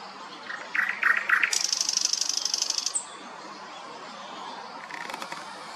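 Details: Thrush nightingale in a city centre on 25 May, singing very loudly: a burst of low clipped notes runs into a long dry buzzing rattle, then a faint chattering phrase after a pause.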